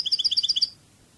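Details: A European goldfinch in the Spanish Cádiz song style delivers a fast series of evenly spaced, chiming notes, alternating higher and lower tones, that ends abruptly and leaves a faint low background hum.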